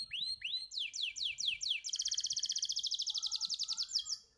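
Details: Singing canary opening with a few looping upswept whistles, then descending slurred notes, breaking into a long, fast, even trill of sharp high pulses with a softer lower twitter beneath.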